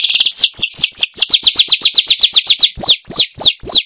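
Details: Weaver lure sound meant to bring wild weavers in: a quick series of downslurred high chirps that slows toward the end into a few longer, louder, separate notes.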